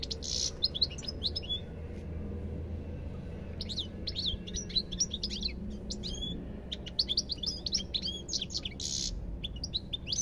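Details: Dense goldfinch singing: tumbling runs of crisp, high twittering notes and quick slurs, with short harsh buzzy notes at the start and near the end, over low background noise.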